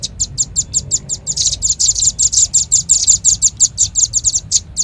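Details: Velvet-fronted nuthatch lure recording: a steady run of sharp, very high chips, about two per second at first and then packed closer in the middle, with a faint low hum beneath.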